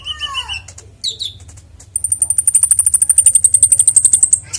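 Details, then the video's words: Konin (Oriental magpie-robin) song used as master audio for songbirds: a falling whistled note, a short slurred phrase, then a long, rapid, evenly paced series of very high thin chips lasting over two seconds. "Konin bongkar isian suara jernih cocok untuk masteran burung kicau"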